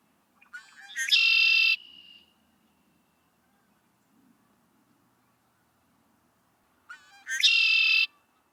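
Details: Male Red-winged Blackbird song, likened to "chicory", given twice about six seconds apart: a few short clicking notes, then a harsh, buzzy trill lasting under a second.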